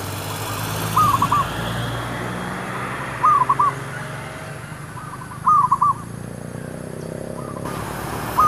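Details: Zebra dove singing while luring wild doves for trapping: short, rolling phrases of three or four clipped coos, repeated roughly every two seconds, over low rumbling background noise.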